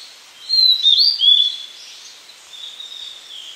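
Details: Blue-and-white flycatcher singing: a short phrase of clear, sliding whistles around the upper-middle register lasting about one second, followed by a fainter, drawn-out whistled trail against a soft background hiss.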